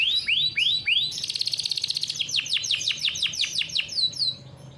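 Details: Domestic canary bred in captivity singing a rolled training song for juvenile canaries: three looping downward-swooping notes, then a dense high trill over a lower hum, followed by a clear series of evenly spaced sweeping chips.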